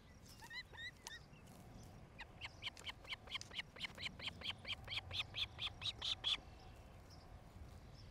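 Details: Osprey at its nest near Charlo, Montana, on a nest cam, 07-08-2018, 17:00–18:00; two short whistled notes, then a long steady series of about twenty rapid, high, clipped chirps that swell in loudness before stopping abruptly.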